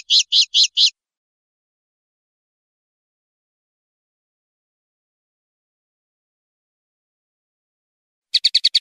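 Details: Common linnet song with a quick rattle of four rapid ringing notes, a long silence, then another fast, tight series of high notes.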